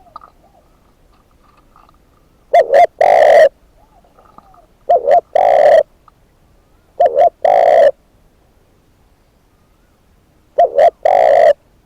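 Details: A decoy spotted dove repeats its cooing phrase four times at uneven intervals of two to three seconds. Each phrase is a quick double note and a long coo, with quieter distant doves calling in the background.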